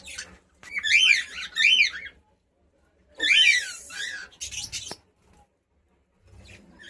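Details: Pet cockatiel singing paired warbled, zigzag whistled phrases, two phrases then a pause and another burst, in a quiet indoor setting.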